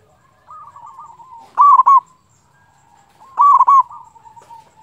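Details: Local zebra dove singing strongly to bait opponents into calling quickly. A soft wavering coo leads into loud stuttering coo bursts, repeated after roughly two seconds.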